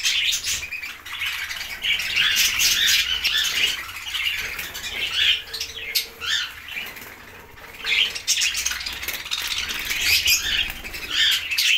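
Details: Budgerigars in an aviary at food time, recently released after trapping, chatter nonstop as a flock with high, scratchy warbles and chirps and some wing flutter.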